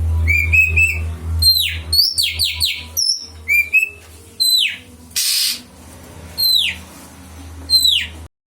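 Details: Kept-bird lure song of an oriental magpie-robin: bright whistles, rapid falling slurs and trilled phrases with pauses between bursts, a low hum underneath and one brief noisy crackle midway.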